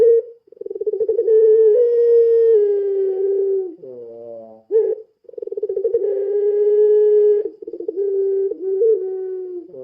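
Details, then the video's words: Lure recording of a puter pelung spotted dove: a long, low, steady coo held for several seconds, a short stuttering pause with quick rising notes, then another throbbing roll building into a second drawn-out coo with small hiccup breaks. "Suara Burung Puter Pelung Gacor | Suara Pancingan Puter Pelung"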